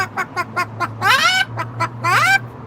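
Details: A 31-year-old male pet Moluccan cockatoo on a patio gives his trademark Bok Bok when prompted: a quick run of short clipped clucking pulses, then two loud harsh rising screeches with a woman's voice nearby.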